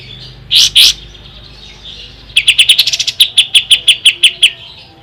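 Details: Ashy tailorbird singing, a recording for tutoring songbirds: two loud high notes, then after a pause a steady run of about fifteen sharp, evenly spaced chips.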